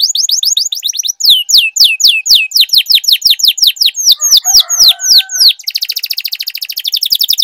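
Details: Canary singing in the 'ngerol panjang' long-rolling style for song training: quick repeated swooping whistles, a short low warble, then a sustained high rattling trill.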